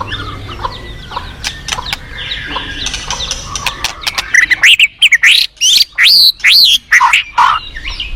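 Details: Forest white-rumped shama: quiet mixed chirps and clicks, then from the middle onward loud, rich, swooping whistled phrases repeated in quick succession.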